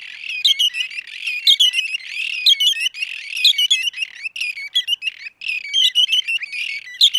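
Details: Red-and-white barbet in Somalia giving busy, high-pitched squeaky chattering, with bursts of sharp notes about once a second and no pause. No other sounds stand out.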